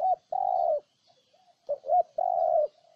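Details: Cooing of a spotted dove, Ninh Thuận province, Vietnam: the end of a long held coo, a pause with soft murmurs, then a full phrase of two quick notes leading into a long even coo.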